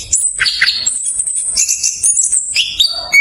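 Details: Fast, close-set rolling song from an orange-headed thrush, played as a lure for thrushes that are slow to sing. A high, ringing, jangling warble flows continuously, broken by a few lower slurred notes.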